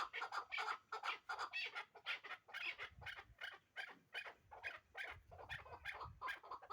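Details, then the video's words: Hybrid chukar partridge from last year's brood, valued as a caller: dense, rapid chuk-chuk notes in throbbing bursts of several notes, steady throughout, with faint low rumbling underneath. "Кабки Гибрид"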